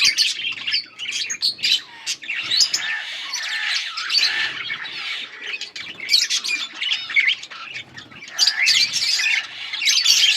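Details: Yellow budgies chirping on August 20, 2024, with a long stretch of raspy, squawking warble-chatter, bright sharp notes and crackly bursts as several birds call over one another.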